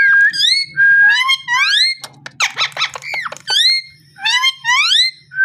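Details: Parrot calling rapidly: clusters of rising, strongly harmonic whistled notes alternate with a burst of rough, clicky squawks midway. Faint low hum throughout.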